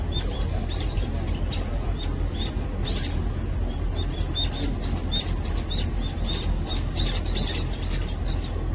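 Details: Brown-eared bulbul, a common resident bird of Korea, feeding in the morning: clear, high chirps and short whistled notes, loosest early on and busier midway through, over heavy steady low rumble and broadband background noise.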